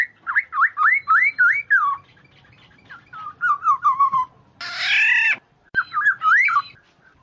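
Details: Oriole (kepudang) in a bird-luring recording: a run of loud, fluty, looping whistles repeated quickly, then a softer falling series, one harsh nasal rasp, and a final burst of looping whistles, over faint steady ticking.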